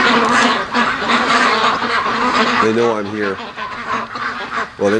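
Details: Home-raised ducks, 73 days old, awake at 3 a.m.: many overlapping nasal calls form a steady chatter, with a few clearer drawn-out quacks standing out near the end.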